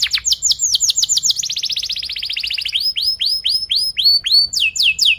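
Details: Long rolling canary song with cuit-cuit chirps, played to train young canaries: loud swooping whistles, then a dense fast trill of repeated descending notes, then slower clear arched whistles about four a second.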